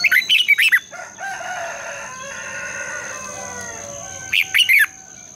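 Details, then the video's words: Red-whiskered bulbul singing in the morning, a lure recording meant to trigger competitive singing: quick, loud warbled whistle phrases open and close the stretch, with a drawn-out harmonic call from another bird between them. "Luyện chào mào hót sáng, Giọng kép xoắn dài"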